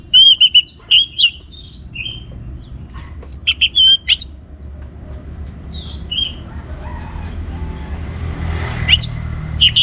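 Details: Singing orange-headed thrush, meant to stir other birds into song: clear, fluty whistled phrases and slurs in quick groups, then a quieter stretch with a few high notes, over faint low noise.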